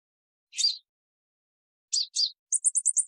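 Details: Brief purple-throated sunbird calling: a single buzzy high note, a paired buzzy note, then a quick trill of thin, high chips.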